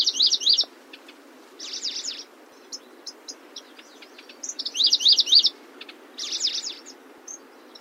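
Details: Song of a Locustella grasshopper warbler: dense half-second bursts of rapid zigzag notes repeating every one to two seconds, interspersed with isolated thin clicks, over a low hiss.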